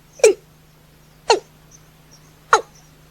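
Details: Watercock calling at night: three abrupt, husky downslurred notes spaced about a second apart, with a steady low electrical hum underneath.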